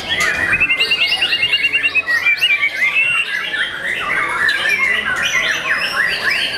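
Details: Song of a young white-rumped shama: it opens with a quick rattling trill of evenly spaced notes, then breaks into varied whistled slurs and harsh chattering phrases, while other birds call in the background.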